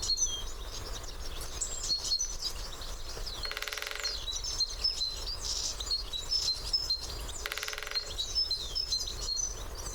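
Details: Great spotted woodpecker drumming on a favourite branch, recorded with a parabolic microphone: two brief rapid rolls about four seconds apart among a constant chorus of high chirping and whistling birds.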